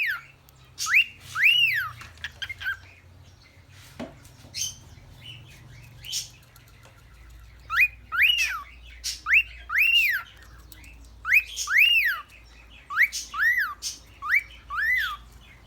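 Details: A cockatiel whistles the tune of "September" in clear, arching notes that rise and fall, repeated in quick phrases.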